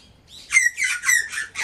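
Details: Australian magpie from a family of one male and two females raising chicks: a burst of harsh, squawking notes in quick succession, four or five rough broadband calls over under two seconds, with no other sounds clear.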